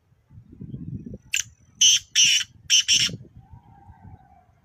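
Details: Black francolin in Nawabshah, Pakistan, uttering a loud rasping series of four to five harsh, buzzy notes over about two seconds, the middle notes paired closely, with low rumbling noise before and after.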